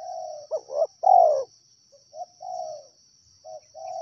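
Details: Wild spotted dove cooing: a few short soft notes leading into a longer falling coo, then quieter trailing coos; a constant high-pitched hum sits in the background.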